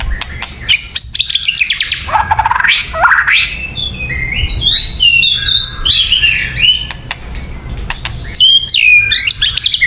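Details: White-rumped shama singing as a lure: rapid rattling notes, then varied rich warbled phrases of swooping whistles, with sharp clicks throughout.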